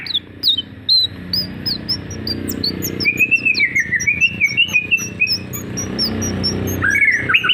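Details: White-rumped shama, F3 bird singing actively in Lampung, Indonesia: thin high chirps repeated through the first half, then a rapid run of warbled, slurred whistled notes and a final rising phrase over a low background hum.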